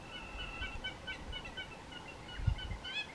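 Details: Hamerkop pair at Mapungubwe, Africa, playfully mounting each other in turns, recorded on a Canon SX60HS. A rapid run of thin, nasal yips carries over a soft low background with one thump.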